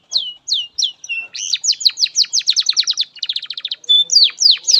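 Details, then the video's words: Master song of a canary for training young canaries: a few spaced whistled slurs, then a quick rolling run of descending notes, a tight rapid trill and final bright rising whistles. "SUARA BURUNG Kenari GACOR PANJANG INI Cocok untuk Masteran KENARI PAUD dan Kenari Macet BUNYI"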